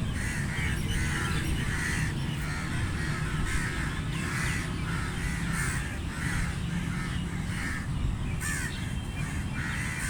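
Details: Feeding crows calling: a long run of hoarse, evenly repeated caws, roughly one each second, with constant deep rumbling noise underneath throughout.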